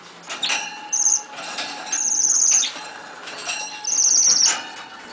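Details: Nuthatch giving thin, very high squeaky notes, each about half a second long, some with a buzzy trilled edge, three in five seconds, over scratching, rustling and tapping sounds close by.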